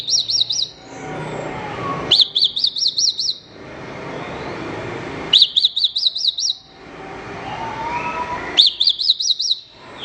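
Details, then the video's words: A Horsfield's bush lark tutor recording for training songbirds. Short trills of five or six high, bouncing whistled notes repeat about every three seconds, with soft background noise between them. "Ocehan Suara Burung Branjangan"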